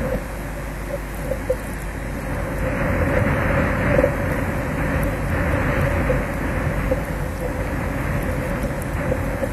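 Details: Only steady, rumbling road traffic fills the recording, with a faint constant hum and no animal calls.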